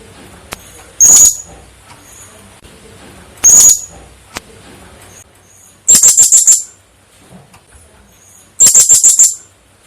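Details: Blue-crowned hanging parrot calling as a lure for trapping: two single piercing high notes, then two fast rattled bursts of about five shrill ticking notes each, very high-pitched.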